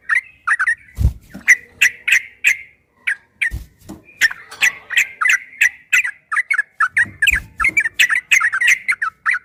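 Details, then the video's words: Ropel-style song of a yellow-vented bulbul, a master recording meant to make other bulbuls answer: fast, uneven bursts of liquid warbled notes about three per second, with a few dull knocks in the background. "Suara burung trucukan MASTERAN TRUCUK ROPEL"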